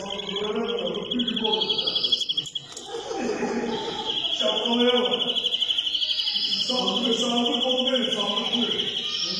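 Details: Greenfinch, known in Turkish as Flurya, singing a sustained high rattling trill that runs almost unbroken for several seconds, with brief higher wheezy notes above it and low voice-like sounds underneath.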